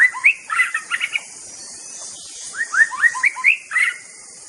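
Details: Murai batu, the White-rumped shama, singing two bursts of rich, rapid whistled notes with rising slurs, separated by a short pause, with constant high-pitched insect buzz behind.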